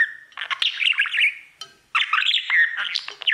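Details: Male budgie singing to his mirror: two dense bursts of chattering, buzzy warble with squeaky whistled notes, split by a brief gap.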